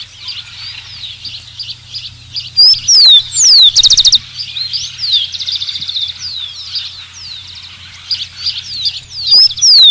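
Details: Rufous-collared sparrow singing: two or three clear, loud whistled notes slurring downward, then a short rapid dry trill, with the phrase starting again near the end over a busy background chorus of other small birds.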